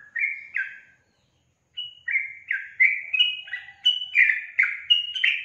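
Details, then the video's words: Sooty-headed bulbul in full song: two chirpy notes, a brief pause, then a fast, lively sequence of bubbly slurred whistles that step up and down, with a silent background. "SUARA BURUNG TRUCUKAN GACOR"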